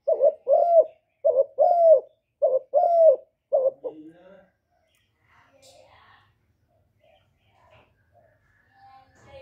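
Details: Cooing spotted dove, kept to excite newly caught birds: four loud paired coos, a brief lead note and a drawn-out descending note, over the first four seconds, then quiet with faint voices and small rustles.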